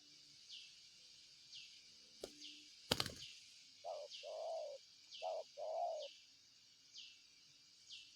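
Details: Spotted dove giving low hollow coos, a short note then a longer rolling one, twice, over steady high repeated chirps about once a second, with a sharp click and a loud thump before.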